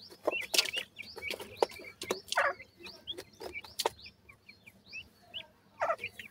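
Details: Feeding captive white francolin chicks give thin, upslurred peeps in loose runs, sometimes dense and sometimes sparse, broken by loud rattling knocks and scraping clatter.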